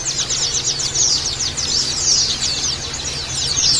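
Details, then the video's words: Many Oriental white-eyes chirping together, a therapy recording meant to make kept birds trill roughly and open their beaks; quick, high, sharp twitters tumble over one another without pause above a soft low hum. "Terapi Pleci Ombyokan Jaminan Langsung Ngeriwik Kasar Dan Buka Paruh"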